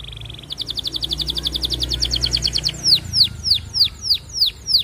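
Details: Canary in long, lively song courting a female, used as a lure to get other canaries rolling: a high steady trill, a fast run of rattled notes, then loud swooping whistles repeated about three per second.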